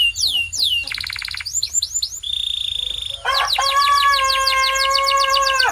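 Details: Canary song for training other canaries: quick changing tours of sweeps, a buzzy trill and a flat steady whistle, then a long rich rolling tour with lower, fuller notes.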